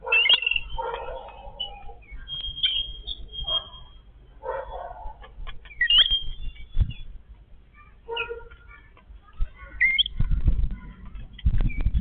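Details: A Yellow-billed babbler family feeding together: repeated harsh, grating chatter phrases alternating with high squeaky whistled notes, plus intermittent low thumps and rustling in the background.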